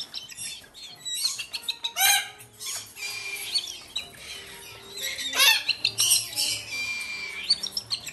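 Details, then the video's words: Hand-fed lesser sulphur-crested cockatoo siblings, about four months old and bred in Japan, give rough grating squawks and chirpy screeches in clustered bursts between quieter moments, with faint music playing underneath. "コバタン 雛達へさし餌"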